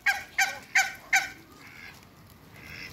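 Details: Backyard African geese, two pairs kept with Muscovy ducks, give four loud, harsh honks spaced about a third of a second apart, then fainter calling trails off.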